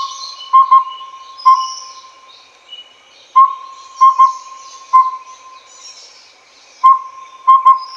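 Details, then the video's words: Collared owlet, the Taiwan endemic subspecies Glaucidium brodiei pardalotum: mellow whistled hoots in repeated four-note phrases, one note, a quick pair, then one, about every three seconds, over a steady faint tone and high insect-like hiss. "鵂鶹(領鵂鶹)/Collared Owlet"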